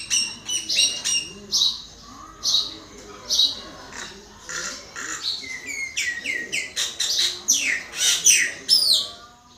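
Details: Common myna singing: spaced sharp chirps at first, building into a dense stretch of downward-sliding whistles, clicks and rasps toward the end.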